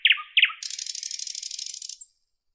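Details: Nightingale gives two sharp double chirps, then a long rapid dry high rattle lasting well over a second, closing on a thin whistle.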